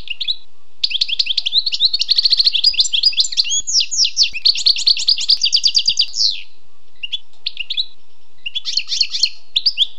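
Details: Song of a wild European goldfinch: long stretches of rapid, bright twittering and tinkling trills, with buzzy and rolling passages, a short lull near the end, then renewed chatter; background otherwise quiet.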